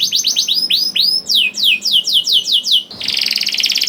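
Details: Young canary (kenari paud) singing, used to prompt reluctant canaries to sing: a run of repeated down-slurred whistles, then fast sweeping notes, ending in a rapid buzzy trill.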